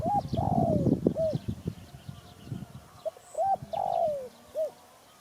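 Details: Spotted dove calling: husky, hooting coos around the mid range, a short note followed by a longer drawn-out falling coo, repeated twice, with rustling and clatter in the background.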